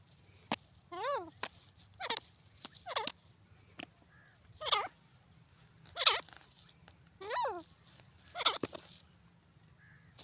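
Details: Francolin (teetar) giving spaced, rough calls about once a second, several with wavy notes sliding downward, interspersed with sharp clicks over a soft low background hum.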